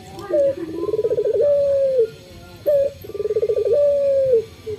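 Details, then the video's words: Male local Barbary dove singing in the morning, calling often: two low coos, each a short note, a rapid throbbing roll and then a long, steady, slightly falling note, about two seconds apart, over faint background hiss. "SUARA BURUNG PUTER LOKAL JANTAN GACOR PAGI HARI"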